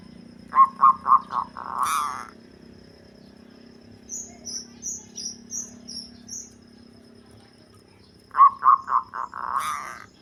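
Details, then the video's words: Local zebra dove with a deep voice, suited for luring birds, giving a few short low coos at the start and end. High, thin chirps from another bird repeat in between over a steady low hum. "Perkutut Lokal Suara Ngebas || Cocok Buat Pikat"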